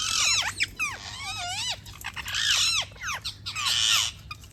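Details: Many parrots chirp at once, loud arched and wavy whistled notes with rich harmonics overlapping in busy chatter, interrupted by harsh rasping bursts, about one burst every second or so.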